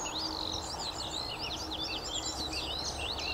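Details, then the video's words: Skylark singing a cheerful, rapid flow of high chirping and warbling notes, sharp upward and downward flicks tumbling together, with faint background noise. "THE CHEERFUL SKYLARKS"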